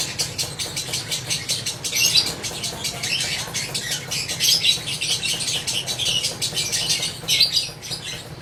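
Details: Lovebird ngekek: a continuous, fast, gritty chatter of sharp high notes rising and falling in loudness over eight seconds, with brief louder bursts and a low hum in the background.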